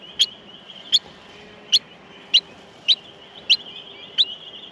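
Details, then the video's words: Baby Australian miners in the nest calling for food, with seven evenly spaced piercing chips about every 0.65 seconds above a continuous thin whine. "Australian Minor baby birds in the nest feeding"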